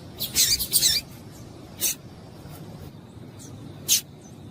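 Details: A female double-collared seedeater's calls, used to excite males: a quick cluster of bright, high, scratchy chips at the start, then two isolated chips, over a soft noisy background.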